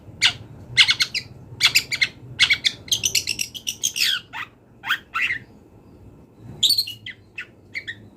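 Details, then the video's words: Wild long-tailed shrike singing a varied full song: rapid repeated chattering bursts, buzzy trills and squeaky falling notes with brief pauses. "CENDET GACOR BONGKAR ISIAN | MASATERAN CENDET BURUNG LIAR"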